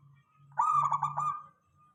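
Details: Local zebra dove (perkutut) singing, played as a lure to get other doves calling back: a single short rolling, stuttered coo phrase fading into a long thin held tail, over a faint low hum.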